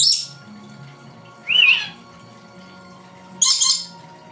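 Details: Pet lory, female, indoors imitating her owner and adding her own noises: a scratchy high squawk, a curling whistled note, then a buzzy harsh screech, each separated by quiet gaps.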